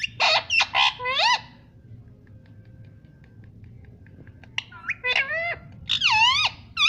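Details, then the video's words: Talking parrot mimicking the word "mummy" and calling for mummy and papa: a few short squawky syllables, then a near-silent pause, then a run of clear, rising-and-falling voice-like calls, each syllable bent into an arch. "मम्मी कहा हो || मम्मी पापा बोलता तोता || बातूनी तोता || parrot talking everything"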